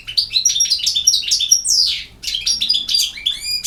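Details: Lively campero song from a European goldfinch: quick tinkling twitters, piercing whistles and a buzzy down-slurred note, then a fresh burst ending in rising repeated notes.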